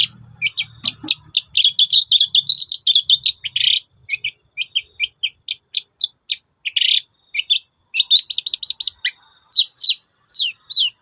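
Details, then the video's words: Long-tailed shrike singing at length to encourage other shrikes: fast varied twittering and clipped notes, occasional scratchy bursts, and rising whistled slurs near the end; brief low rumble at the start. "Burung cendet gacor Bikin cendet bahan terpancing ikut gacor"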